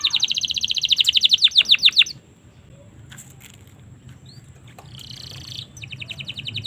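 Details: Domestic canary from Indonesia, singing as a tutor for young birds: a rapid trill of repeated rising-falling notes for two seconds, then near silence with faint clicks, ending with a short buzzy roll and another quick trill.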